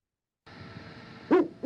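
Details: A captive female Great Horned Owl, Alice, gives a deep, soft hoot with mouth shut, one full note followed by the start of another, over a faint steady hiss.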